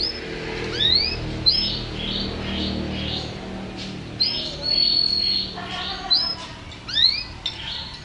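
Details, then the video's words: Varied song of a champion canary: rising slurs, quick doubled sweeps and a held level whistle, mixed with softer overlapping notes over a low murmur. "Suara Kicauan Burung Kenari Juara"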